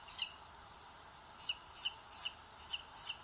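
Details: Booted eagle chicks on a live-camera nest in Sierra de Guadarrama National Park, Spain, 2022, the larger pecking the little one; one shrill peep, a gap of over a second, then five spaced high double peeps.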